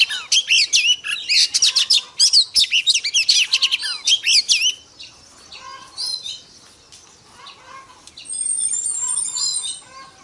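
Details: Female Oriental magpie-robin (Copsychus saularis) calling to stimulate the male: a rapid burst of varied, sweet whistled and chattering notes for five seconds, then softer scattered notes and thin high whistles.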